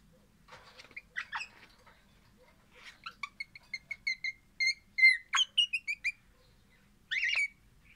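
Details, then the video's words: An orange crimson rosella sings happily: scratchy chatter first, then a fast repeated train of short whistled notes with bright overtones, rising in loudness, ending on one harsh squawk. "Pennant Orange happy singing Parrot"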